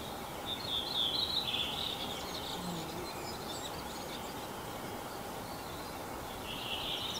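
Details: Common chaffinch spring song in Kalinovsky forest park, Yekaterinburg, 21 April 2020: a bright, quick trill of high notes that drops toward the end, then another phrase begins, over a steady background hiss.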